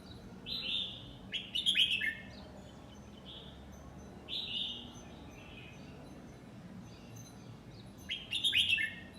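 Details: Red-whiskered bulbul, aged nine months, repeating short 'lak wai' song phrases about every three to four seconds. Each is a burst of bright, slurred whistles, some with sharp rapid notes, separated by quiet gaps.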